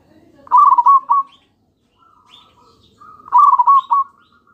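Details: Lure song of a local zebra dove, meant to make other doves reply: two quick trilled coo phrases with pulsing notes, a soft lead-in before each, and faint high chirps from other birds between them.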